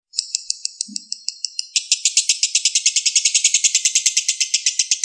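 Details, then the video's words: Lovebird, balibu type, recorded as master audio for other birds to copy: spaced sharp chirps at first, then a sudden switch to a rapid, louder, continuous chattering trill. "MASTERAN LOVE BIRD BALIBU Terbaik Sangat Mudah Di tirukan"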